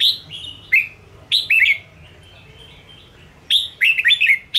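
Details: Red-whiskered bulbul song used to provoke and train caged birds: loud bursts of bright whistled notes, each note sliding down, given in short phrases separated by pauses.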